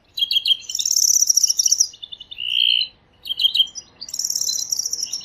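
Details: European greenfinch (Chloris chloris) singing in nature: rapid twittering trills broken by one sustained, flat buzzy note near the middle, then more high, dry trilled phrases.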